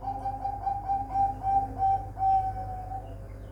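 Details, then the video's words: Captive-bred zebra dove at a bird farm in Semarang, Indonesia, giving a rapid string of soft, even cooing notes at a steady pitch, about three per second, with the final note drawn out longer, against a low background hum. "Suara perkutut"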